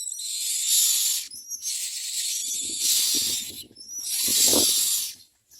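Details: Myna chicks at feeding time repeating loud, grating hissed screeches, four long bursts separated by brief gaps and thin squeaks, with low shuffling noises.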